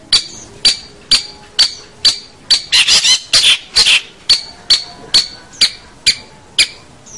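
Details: Long-tailed shrike (cendet or pentet), a recording used to train local birds. A sharp, clipped high note repeats about twice a second, broken midway by a few longer, raspy, buzzing phrases.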